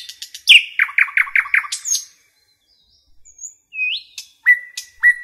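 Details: Nightingale in forest song: quick clicks, then a run of five loud repeated downslurred notes, a pause, then a soft whistle, a rising note and level whistled tones.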